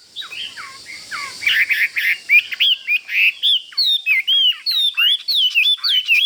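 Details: Fighting Chinese hwamei in a cage, pecking at the bars near a rival: after a soft rustle, a fast run of around fourteen bright, upslurred whistles follows in steady succession.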